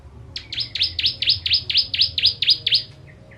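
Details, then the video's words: Bar-winged prinia of the Ciblek Kristal type giving its sharp 'tembakan' song, used as a tutor for training contest birds: about ten high, steeply down-slurred chipping notes in a fast, even run lasting under three seconds, then two faint soft notes. "Ciblek Kristal Tembakan Pedas Cocok Untuk Masteran Burung"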